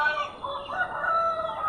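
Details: In the morning a Thai-Burmese crossbred fighting rooster at a home gives a drawn-out crow, a strained, ringing note held steady under two seconds, rising slightly toward the end, with faint farmyard background.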